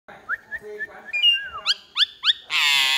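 A myna sings a varied run of clear whistles, then three quick rising whistled sweeps about a third of a second apart. It ends in a harsh, grating screech.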